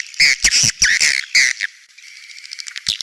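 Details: Edible-nest swiftlet 'outside' sound for swiftlet houses: several harsh, buzzy squawks in quick succession in the first half. They are followed by a quieter lingering hum and a final short chirp.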